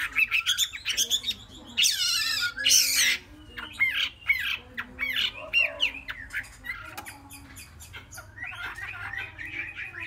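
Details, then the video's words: Three-month-old captive Chinese hwamei described as promising, singing a varied run of loud whistled and slurred phrases rising and falling between notes, broken by a harsh buzzy burst near the second and third seconds, then quicker chattering notes toward the end. "họa mi mcb2060 - 3 tháng tố chất"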